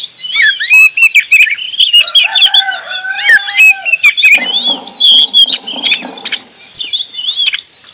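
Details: Oriental magpie-robin from Indonesia, described as singing busily: a dense, varied stream of sharp whistles, rapid chirps and slurred high notes. A lower, harsh, rooster-like burst overlaps the middle-to-late section.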